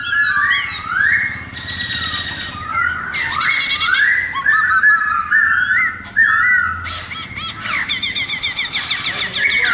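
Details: A khướu mun laughingthrush sings at length: swooping whistled slurs alternate with dense rasping trilled bursts, phrases coming in quick succession with a low background hum.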